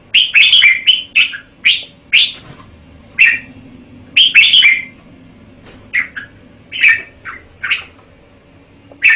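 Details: Red-whiskered bulbul singing a busy stream of loud, bubbly whistles, many quick notes early on, easing to paired chirps later.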